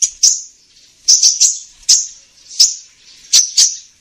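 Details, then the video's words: Lure sound for catching the sunbird called kolibri ninja: short, high chirps in pairs and triplets roughly every second, with crisp clicks. "Suara pikat burung kolibri ninja"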